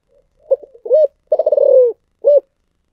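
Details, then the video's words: Spotted dove giving the thổ sấm voice of Vietnamese cu gáy keepers: faint lead-in notes, a swelling coo, a long vibrating phrase sliding downward, and a closing hooded coo, all low and mellow. "cu gáy giọng thổ sấm// cu gay moi chuan mp3 thổ sấm"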